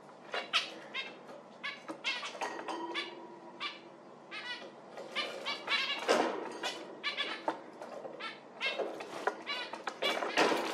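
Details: Busy chorus of zebra finch calls, dense overlapping nasal beeps and chattering notes almost continuously for ten seconds, suggesting several birds calling together.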